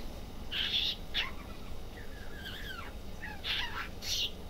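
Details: A budgerigar in a pet shop mutters and talks in scratchy, squeaky bursts mixed with quick rising and falling warbles, over a steady low indoor hum.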